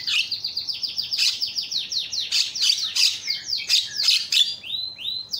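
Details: Javan myna screaming calls, played to lure silent mynas into calling: rapid scratchy chattering with steep downward-sliding notes and harsh bursts, ending in a few clear whistled slurs.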